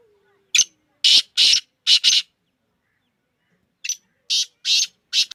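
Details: Captive Black francolin, known as kala teetar, described as a speeder caller. Two bursts of loud, scratchy, rasping notes come in quick groups of four or five, separated by a short pause, with little background sound.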